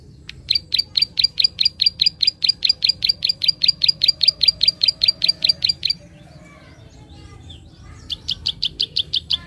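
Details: Prinia (prenjak) clicking call meant to stimulate untrained birds: a long, fast run of crisp high clicks, evenly spaced, then a short pause before another burst of clicks, over faint low rumble.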